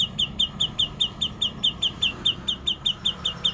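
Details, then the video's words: Murai (magpie-robin) repeating one sharp high chip note steadily, about four times a second, over faint low hum. "burung murai suara kuntilanak"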